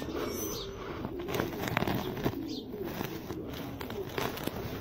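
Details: Jaafari pigeon, described as the smallest pigeon type in the world, giving low soft cooing notes in uneven rolling phrases, with scattered clicks and rustling noise in the background.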